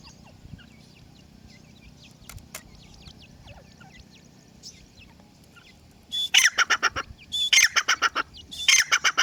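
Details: Francolin chicks (teetar): soft, scattered high peeps with sliding pitch for six seconds, then loud, harsh, rapidly pulsed broadband bursts in three groups dominate the end, over a faint low hum.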